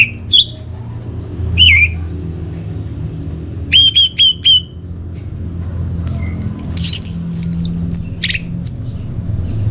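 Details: Orange-headed thrush singing, kept as a lure and master song for caged birds: sparse high sharp notes, a falling whistle, then quick repeated upswept notes in rapid groups, over low background hum.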